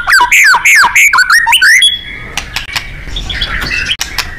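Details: Murai singing at full power with sharp, piercing shot notes, used as a training recording for contest birds; a quick run of loud, sweeping whistles for about two seconds, then fainter scattered chirps and clicks.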